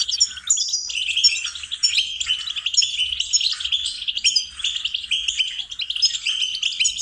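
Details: Goldfinch song serving as a singing lesson: continuous tinkling twitters and sharp repeated chirps, closely packed, for roughly seven seconds.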